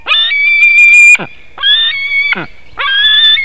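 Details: Nest webcam in Latvia, early morning of 17 August 2018: a white-tailed eagle screams during a fish delivery. Three long, piercing, tonal screams, each ending in a sharp downward slur, with pauses between.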